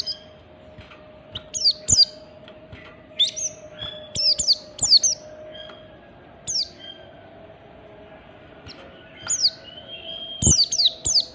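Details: Standard ngalas song of an oriental white-eye, played to prompt other white-eyes to sing: scattered high, sharp, downslurred chirps in short bursts over eleven seconds, with thin whistled notes between them and a constant low hum.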